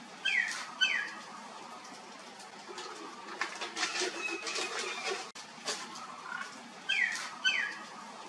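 A common myna gives paired, quick downward-sliding whistles at the start and end, with a stretch of harsh rustling, flapping-like noise between.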